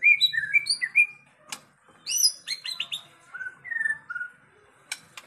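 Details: A white-rumped shama gives a sequence of short clear whistles, some rising and some falling, then a cluster of sharp high notes and sliding whistles. Scattered clicks sound against faint background noise.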